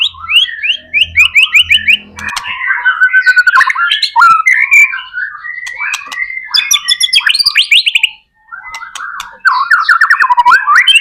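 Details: White-rumped shama (murai batu) singing persistently, used as a lure to prompt other shamas to sing quickly: fast repeated trilled notes, then jumbled varied whistles and chirps, a brief pause, and trills again; faint low hum at the start.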